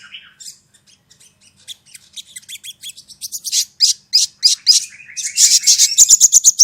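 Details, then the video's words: Sogon song used as a lure so a caged bird adapts to hearing other birds: starts with faint scattered chips, builds into loud, high, rapidly repeated notes and ends in a dense ringing trill. "Pancingan Burung Sogon"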